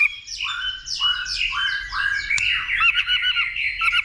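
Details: Caged white-rumped shama male in fighting song, stimulated by a female, Vietnam: dense run of rapid descending buzzy chattering notes, then clipped rising ticks and whistles, with a sharp click midway.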